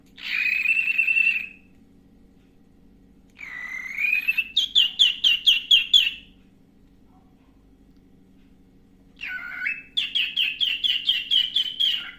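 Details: A pet cockatiel sings its morning song, a whistled tune of rising notes followed by rapid repeated chirping phrases.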